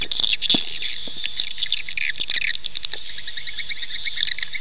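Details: Swiftlet call recording meant to lure swiftlets into nesting: dense high twittering and chirps with squawky bursts and clicks, overlapping continuously over background hiss.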